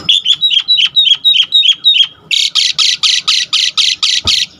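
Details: Asian pied starling, used as a lure to rouse other starlings into singing, starts with a run of quick whistled twitters, then switches to a rapid series of coarse, rasping squawks.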